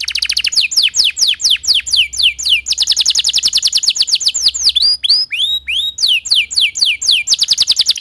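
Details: Timbrado canary singing a training song: rapid rolling trills of bright, high notes, interrupted by swooping downward slurs and rising whistles, steady and loud throughout, with a faint low hum underneath.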